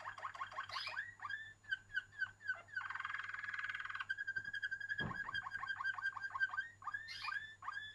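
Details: Singing Waterslager canary with varied song: gurgling bubbling notes, a dense buzzy rolling trill, a long level tour and more water-like chopped phrases, over a constant low hum.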